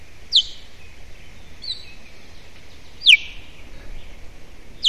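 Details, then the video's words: Osprey at its nest with a chick, 22 June 2017 at 09:50, one adult giving warning calls as the other returns carrying a branch for nest decoration; four sharp, high, downward-slurred whistled calls spaced about 1.4 seconds apart over a steady hiss. "Osprey- Teo warning calls"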